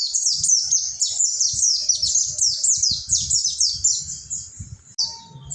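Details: High, rapid chattering of a mountain white-eye (pleci monty), a ngalas tutor song played as therapy for silent caged birds. Steeply dropping squeaky notes tumble one after another without pause, and soft low thumps sit in the background.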